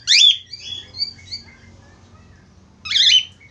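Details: Budgerigar sound used as a lure to stimulate other budgerigars to sing: a loud, sharp chirp, then soft high warbled notes, and another harsh chirp near the end over a faint low hum.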